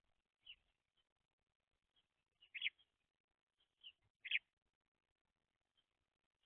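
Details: Baby house sparrows, messy young birds, giving soft, short chirps at irregular intervals, a few louder double notes among quieter single peeps, in a quiet setting.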